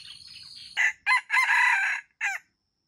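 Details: Red junglefowl crowing: a loud crow in four parts, with a short opening note, a second brief note, a long drawn-out harsh middle note and a short clipped final note. A steady high insect drone precedes it, then quiet.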